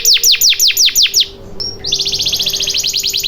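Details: Canary song used to coax silent canaries into singing: seven quick downward-sweeping whistles, a brief pause, then a rapid, even trill of high repeated notes.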